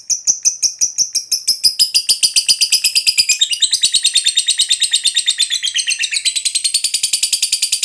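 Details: Long ngekek of a lovebird, a call to draw other lovebirds into singing: a fast stream of shrill, harsh chattering notes that speeds up and thickens into a dense rattling trill.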